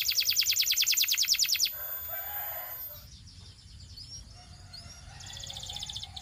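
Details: Belgian canary giving a loud, evenly pulsed trill that breaks off into quieter faint whistles and background chirping before a short trill resumes at the end.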